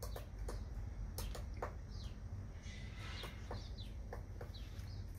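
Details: Woodpecker banging away on a fence at a casita in Santa Fe: sharp, dry knocks in loose irregular bursts, a few per second, with brief chirps of small birds in the background.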